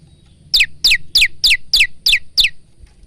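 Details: Male bar-winged prinia song: seven sharp, high notes, each sweeping steeply down, given at an even pace of about three per second, with a faint low hum beneath.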